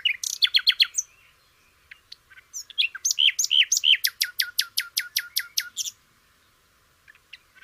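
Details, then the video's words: A flycatcher (sikatan londo) sings bright, high phrases: quick twittered notes, a few slurred whistles, then a fast run of about nine sharp, downward-sweeping chips. "kicau burung sikatan londo"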